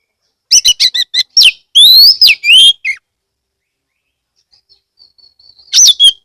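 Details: Oriental magpie-robin, locally kacer, from Kebumen, Central Java, singing loudly to draw other magpie-robins into song; a rapid run of chattering notes and bright rising whistles, a quiet faint passage, then a sharp closing burst.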